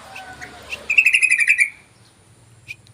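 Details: Yellow-vented bulbul lure call: a rapid bubbly run of about ten chattering notes near one pitch, lasting under a second, after a few soft faint chips.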